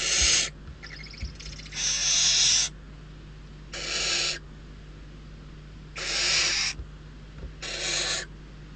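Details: Barn owl chicks in Riet Vell Nature Reserve, Ebro Delta, Spain, hungry after days of scarcity and fighting over prey as an adult arrives; harsh breathy rasping hisses, five bursts of about half a second to a second, irregularly spaced.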